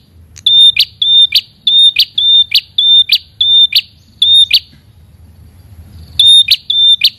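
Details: Red-headed prinia (prenjak kepala merah) calling persistently at a rival: a run of short, high, pure whistles, each ending in a sharp buzzy snap, repeated about twice a second. The run pauses for a second, then resumes.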